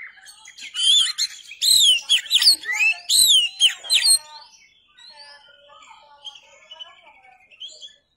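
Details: Oriental magpie-robin (kacer), recorded for tutoring kept songbirds, sings a rapid burst of loud slurred whistles and chirps over about three seconds, then trails into softer, thinner warbling twitters and faint whistled notes before falling silent.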